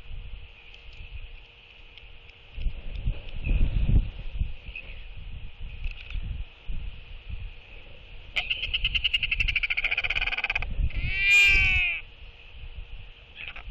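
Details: Northern royal albatross pair greeting each other with skycalls at the nest on December 16, 2023, reaffirming their bond as one arrives to incubate the egg: harsh, buzzy, harmonic calling from about eight seconds, then a rising-and-falling cry, over steady wind rumble.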